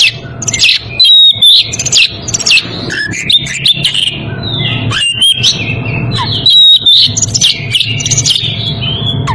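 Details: Breeding Oriental magpie-robin calling to a rival, giving loud varied whistles, high chirps and quick falling slurs in repeated bursts, over low background hum.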